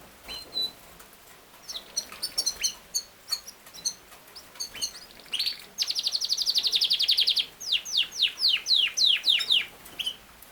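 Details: Yorkshire canary, or king size canary, sings scattered high chips that build into a sustained fast rolling trill, then a run of loud downslurred whistles repeated about four per second.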